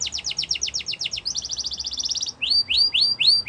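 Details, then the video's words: Yorkshire canary training song for young canaries: a fast series of descending high notes, a rapid even trill, then slower rising whistled phrases repeated about twice a second. "The Best Canary Training Song | Yorkshire Canary Singing"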